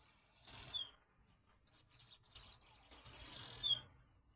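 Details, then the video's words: Swallows at a window: two bursts of high, buzzy twittering, a short one then a longer one, each ending in a falling slurred note. "Andorinhas conversando"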